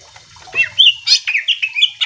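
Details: Greater green leafbird in full chatty song, used to stir other leafbirds into singing back: a fast run of bright whistled slurs and clipped chips, strung almost without pause.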